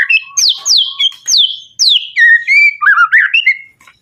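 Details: Male white-rumped shama in full song: loud, clear whistles sweeping steeply downward, repeated several times, then lower warbled and rising notes.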